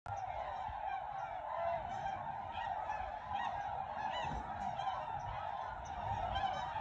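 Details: Tundra swans coming in to land on Lake Mattamuskeet, Hyde County, North Carolina, in December 2019: a dense chorus of overlapping mellow, hooting and yelping calls blending into a steady din, with a low rumble of wind.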